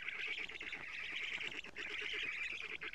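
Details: Live camera at a black stork nest in Estonia, 14 June 2017, as the female brings lampreys to the storklets; loud, continuous raspy squealing with rapid pulses, a short dip midway, then steady again.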